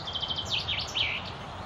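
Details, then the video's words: Common chaffinch singing at the Akulovsky waterworks in Korolyov in May 2016; a short burst of high, bright notes ending in a slurred flourish, set against a low rumble of background noise. "Поёт зяблик."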